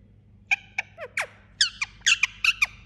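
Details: Indian ringneck parakeet calling in its sleep: a quick run of about a dozen thin, squeaky notes, some sliding downward, packed into under three seconds over a faint background hum.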